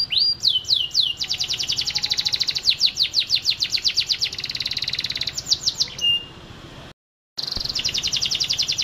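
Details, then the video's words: Vigorous canary song played as a lure for young canaries and ones that went quiet. Downslurred whistles open into long, fast high trills with changing speed, a short held tone, a pause, then trilling resumes. "Masteran Kenari GACOR Durasi Panjang‼️ COCOK untuk Pancingan Kenari PAUD dan Kenari MACET BUNYI"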